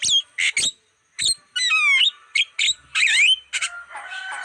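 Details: Lure song of a black-winged starling for drawing in wild birds: loud harsh chacks, then a run of descending stepped whistles, a sliding whistled phrase and rough churring notes, closing in a thinner buzzy trill.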